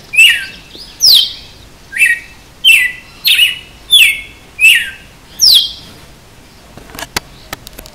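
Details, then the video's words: {'text': 'Red-cowled cardinal giving açoite-style song: eight quick, sharply down-slurred whistled phrases at an uneven pace, followed by a few dry clicks and taps near the end.'} "Galo de campina cantando de açoite"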